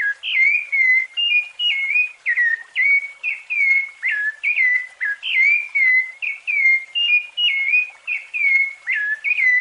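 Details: Rufous-bellied thrush singing in the fluted style meant for training young birds: steady, rapid, pure whistled notes, many swooping or dipping in pitch, following one another without a break.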